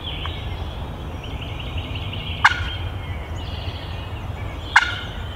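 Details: A male wild turkey a couple hundred yards off in the woods, gobbling as he comes closer: two short rattling gobbles a little over two seconds apart, over a steady high hum of other birds and a low rumble.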